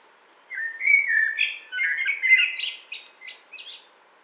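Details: Common blackbird singing in spring woodland in 2017: a rich warbled phrase of fluting, low whistled notes that climbs into higher, squeakier twitters toward the end, with quiet pauses between parts.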